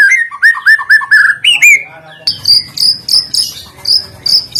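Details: White-rumped shama song used as a lure to set other birds singing: a series of rising, slurred whistles, then high, thin, piping notes repeated about twice a second.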